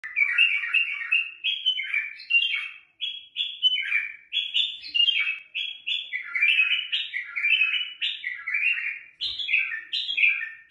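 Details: Bulbul singing in a song style given as "full and alif tina": a continuous run of rich warbled, slurred whistles that rise and fall in quick phrases, with barely a pause across ten seconds.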